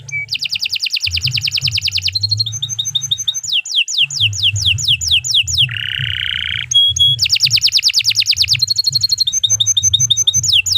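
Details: Canary song, long and full, meant as a tutor recording for training other birds: fast, high rolling trills and repeated whistled notes change every second or two, with a buzzy lower phrase midway and a steady low hum beneath.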